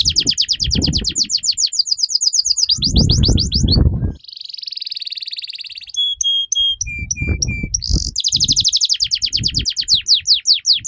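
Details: Canary singing long, continuous song used as tutor and lure for young canaries: fast buzzy trills of rapid downward notes, a nasal rolling tour, then clear flat whistled notes in short runs before trills resume, with low thumping noises.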